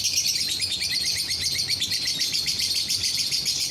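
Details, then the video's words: Lovebird song for encouraging other lovebirds to sing: a steady, rapid, high-pitched chattering trill of densely packed chirps, unbroken from start to finish. "DENGAR SESAAT SAJA, bikin lovebird yang lain ikut bunyi"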